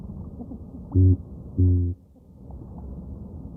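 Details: Male Spectacled Eider courtship call given in breeding season by captive ducks in Alaska as a vocal display: two short, deep, buzzy thrums about half a second apart, muffled like bass from a closed car, over a low rumbling background.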